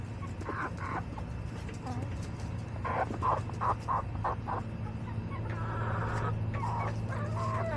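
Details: Hens in a backyard flock, recorded July 18, 2024, giving a run of short clipped clucks in quick succession, then a longer harmonic call, over a constant low-pitched hum.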